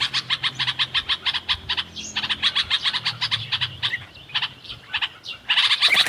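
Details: Bulbul in natural surroundings; rapid series of short, bright chirps repeated several times per second, pausing briefly, then a busier burst of overlapping notes near the end.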